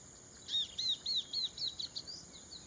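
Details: Chestnut-capped babbler in rice fields near Prachuap Khiri Khan, Thailand, 2025. A rapid string of about eight loud, high, descending whistled notes that quicken and soften toward the end. Constant high insect whine behind.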